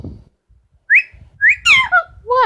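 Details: Female Amazon parrot kept as a pet, giving two short rising whistles followed by a jumble of squeaky, sliding notes and a bending nasal call, in a quiet room.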